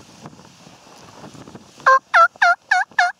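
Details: Wild turkey tom in spring 2014 gives a burst of five loud, clipped gobble notes in quick succession after a stretch of low wind rumble.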